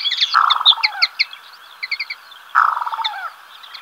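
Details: Black-bellied sandgrouse pair wandering over fallow waste ground near Villarrubia de los Ojos, Spain, early July: two guttural, rattling churrs about two seconds apart, with scattered high twittering birdsong between them.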